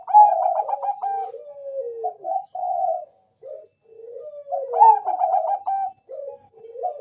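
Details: Bangkok-type zebra dove singing a lure song meant to prompt other doves to answer: a fast burst of clipped, stuttering coos runs into soft, falling, rolling notes. The phrase is repeated twice.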